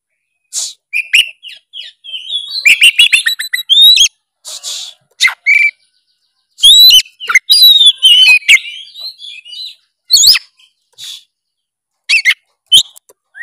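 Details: Lively 'narung' song of an oriental magpie-robin, played so that lazy magpie-robins start singing: dense bursts of rapid chattering, clicks and whistled upslurs, breaking into separate sharp notes with short pauses.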